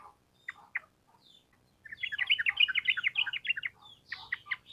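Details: Lively sooty-headed bulbul delivering a long rapid 'ropel' song used as training material for cage birds. Two or three separate sharp notes come first, then a fast, tumbling burst of chattered notes, then a few spaced calls.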